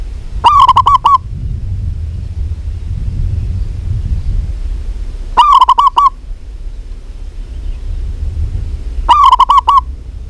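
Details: Three bursts of quick, bubbling coos from a local zebra dove, possibly a female calling a male. Each phrase lasts about 0.7 seconds, spaced roughly four seconds apart, with steady low-pitched hum in the background.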